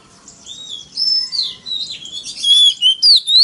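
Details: Oriental magpie-robin competitive song from a lure recording aimed at rival birds; blurred warbling whistles build into loud, clean rising and falling slurs near the end.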